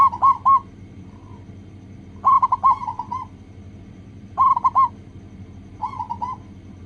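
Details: Zebra dove, local type, singing on a lure recording meant to prompt other doves to sing: clustered mellow coos in quick groups about every two seconds, with a faint hum beneath.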